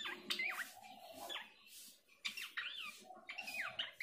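Horsfield's babbler giving a lively run of squeaky, chattering whistles that swoop up and down in quick bursts.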